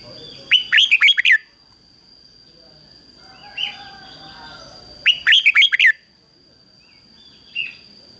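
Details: Red-whiskered bulbul trained as a decoy, calling wild birds: two loud phrases of rapid rolling whistles four seconds apart, with soft single notes between and a constant high-pitched tone.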